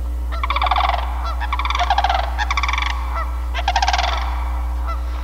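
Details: Two paired Sandhill Cranes beside Canada geese at Sax-Zim Bog on a snowy April 2021 morning, not dancing, give loud rolling, rattling trumpet calls in four half-second bursts over a low rumble of wind or engine noise.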